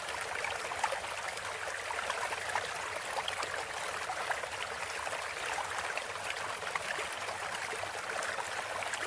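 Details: Steady broadband hiss like rushing water fills the whole stretch, with no animal calls standing out.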